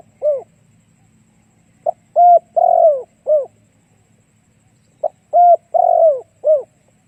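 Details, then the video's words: Repeated cooing phrases from a spotted dove used as a lure for other doves: short hoot, clipped note, level coo, long falling coo and short close, given twice about three seconds apart over soft low hum. "Cu gáy kích mồi tập bổi hiệu quả nhanh"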